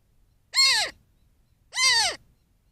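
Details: A young Cooper's hawk at a desert pond in mid-morning gives repetitive, plaintive complaint calls: two harsh, nasal screeches about a second apart, each arching up then dropping away; otherwise quiet.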